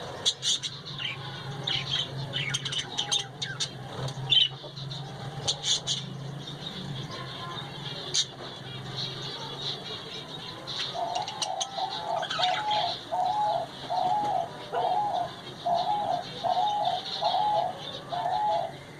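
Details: Caged budgerigars chatter with sharp, high chirps and scratchy warbles over a low mechanical hum.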